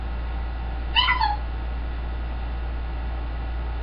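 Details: Pet green-winged macaw giving a single short call, buzzy and harmonic with a downward slide, then silence apart from a low steady hum.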